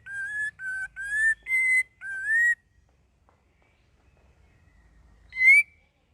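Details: Sooty-headed bulbul practising a varied song: five clear whistled notes in quick succession, several rising at the end, then a silence broken by one sharp, upward-sweeping whistle.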